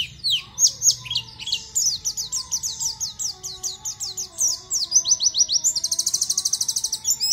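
A white-eye sings a fast, high twittering run of sweeping, slurred notes, ending in a rapid buzzy trill. A faint low hum sits underneath.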